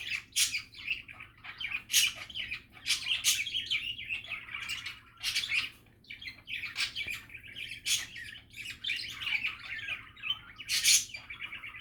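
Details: Budgerigars in relaxed chatter, a softer rambling mix of warbled notes, sharp clicks and short squeaks, steady with small lulls.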